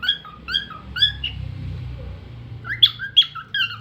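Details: Cockatiel giving short chirping notes, first a steady series of quick paired chirps, then a louder burst of sharper chirps after a short pause.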